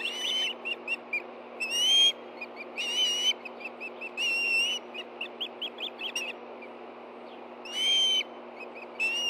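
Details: Ospreys stirring at a Hellgate Canyon nest, Montana, on 24 August 2013 at 10:46 a.m. when a fish is brought in for two hungry birds: loud long whistles alternating with rapid strings of short high chirps.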